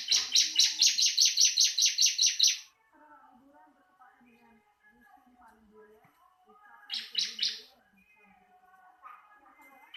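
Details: Bar-winged prinia song, possibly caged: a fast run of about a dozen buzzy, high, evenly repeated notes lasting under three seconds, then a short burst of three more, with soft low chirps of other birds between.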